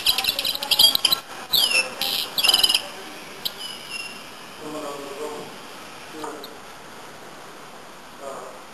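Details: Goldfinch-canary hybrid song opening with loud, rapid high trills and looping whistled sweeps in three dense bursts, then a few softer isolated notes and low murmurs over quiet room hiss.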